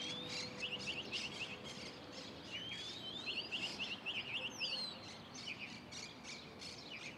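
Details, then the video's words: Song of a lark perched atop a pine tree, made of rapid bursts of bright, clipped notes in runs of four to six, broken by upslurred whistles, over a busy chorus of other birds. "Calandria cantando arriba de un pino"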